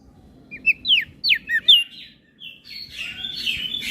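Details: Training master of a Flores crested white-eye in 'gacor isian' song: a series of five descending whistled slurs, a brief gap, then a smeared, buzzy high warble.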